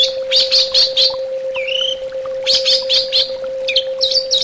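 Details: Orange-headed thrush in a song therapy recording: fast bursts of high scratchy chirps, a lone rising whistle, then more chirp runs and looping high notes, over a constant low hum.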